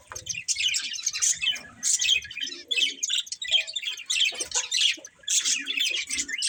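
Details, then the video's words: Two budgerigars of a breeding pair chattering, with quick rasping chirps in rhythmic bursts roughly every second and soft lower clicks between them. "Cute Budgies Chirping Sounds"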